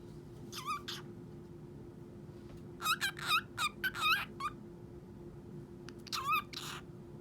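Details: A pet cockatiel that talks and sings gives short bursts of bright, warbling whistles with rising and falling notes.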